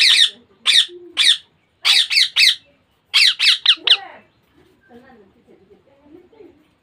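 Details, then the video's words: Baby Indian ringneck parakeet giving harsh, raspy squawks in quick bursts of two or three, about a dozen in four seconds, followed by quieter low murmuring sounds in a small indoor room. "Baby parrot sound Ringneck Parrot natural sound."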